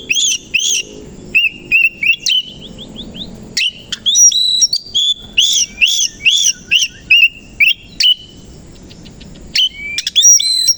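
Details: A kacer koci (Oriental magpie-robin) sings in the morning, tail open; repeated paired rising-falling whistles, a quick trill of short notes, then more loud chattering phrases after a brief pause.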